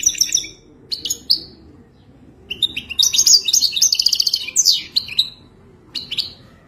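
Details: Goldfinch mating song, played to teach a captive bird to sing, opens with short tinkling notes, then a long run of fast, liquid twitters and buzzy trills before trailing off into a few scattered chirps.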